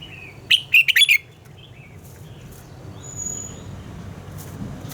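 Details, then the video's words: Red-whiskered bulbul sings a short morning phrase of four rapid, sharp whistled notes in wild double-note style, for training birds, then falls silent, leaving only a low rumbling background. "Luyện giọng cho chào mào hót sáng - Hót hay nhanh lửa, chào mào hót âm kép già rừng hay tuyệt!"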